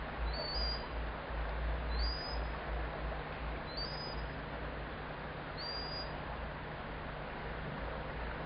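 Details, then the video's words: Unusual high call of a common sandpiper: four thin, high, slightly rising whistled notes about two seconds apart, over steady wind-like noise and a low hum. "Common Sandpiper - high call"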